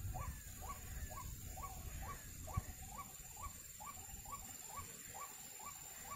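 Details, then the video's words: Ruak-ruak, the white-breasted waterhen, calling where birds are being trapped: an even chain of clipped, croaking notes, about two each second, with low background rumble and a thin steady whine. "Ruak Ruak Nakal"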